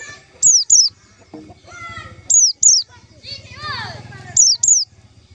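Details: White-eye call used as a trapping lure: paired, high, downslurred whistles repeated three times, with softer chattering bird notes and a low background hum between the pairs.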